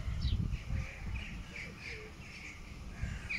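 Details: Black-headed gulls on the Mur river in Graz, Austria, where the river has calmed since a hydropower plant was built: repeated harsh, short mid-pitched calls in quick succession, over a steady low rumble of wind or water.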